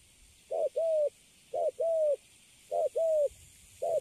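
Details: Caged young spotted dove, recently taken from the wild, cooing in the Cấn Sấm manner, with clipped opening notes each followed by a sustained level coo and steady pauses, against a quiet background.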